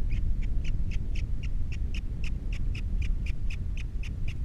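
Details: Nest-cam osprey at Captiva with three young, the male left at the nest after his mate departs, February 2022: rapid, evenly spaced piercing whistled notes, roughly four each second, over a constant low wind roar.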